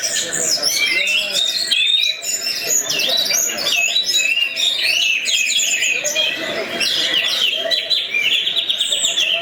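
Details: Orange-headed thrush, a caged contest bird kept by songbird hobbyists, singing a rich, continuous run of varied whistles, trills and mimicked phrases, loud and unbroken throughout with no pauses.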